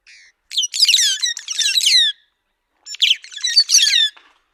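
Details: White-headed buffalo weaver calling loudly in two bursts of harsh, scratchy chatter, each about a second and a half of rapid downslurred squawks, separated by a brief silence.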